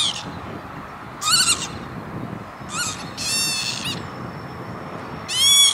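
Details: Lapwing, Veenendaal industrial zone, Netherlands, May 2013: a run of buzzy, harmonic calls, some brief and clipped, others longer and wavering, with a faint steady tone and background rumble.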